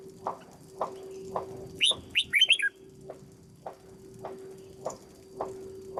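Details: Caged red-whiskered bulbul under training as a decoy bird: one brief burst of bright, warbled whistled notes near the middle. Soft knocking pulses repeat about every half second beneath a steady low hum.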